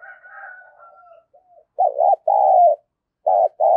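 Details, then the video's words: Spotted dove used as a decoy, giving a strong lure call in the rapid "thổ thúc gù" style. Faint whistling and soft coos open the clip, followed by loud clipped coos in quick succession. "Chim cu gáy mồi giọng thổ thúc gù gáy gọi kích mồi cực mạnh"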